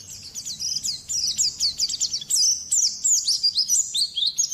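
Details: Brief passage of a champion white-eye's song: a quick, thin, high twitter that builds into a run of sharp chirps and short sweeping notes.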